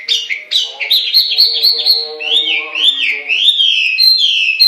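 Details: Chinese hwamei, the melodious laughingthrush, singing: quick sharp notes give way to long, looping whistles that swing smoothly up and down, with a low hum underneath.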